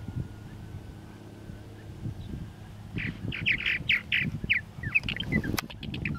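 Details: Purple martins, first quiet under a steady low rumble, then after three seconds a run of harsh squawks and short chirps repeated rapidly, with one sharp click near the end.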